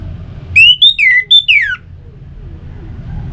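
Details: Orange-headed thrush whistling as a lure for kept birds: a short phrase of five loud notes, level whistles alternating with downward-sliding slurs, then silence with faint low hum.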